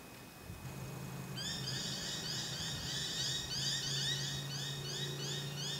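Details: Pacific baza at Hunters Hill, Sydney, Australia, in April 2017, giving a fast series of short, high, whistled notes, about three per second, over a steady low hum.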